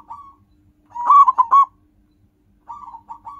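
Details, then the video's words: Local zebra dove heard in a luring recording: a faint short coo, a pause, a loud clipped burst of four staccato notes, then soft rolling coos from another bird. "Perkutut lokal suara khas alam, bagus banget untuk pikat dan pancingan"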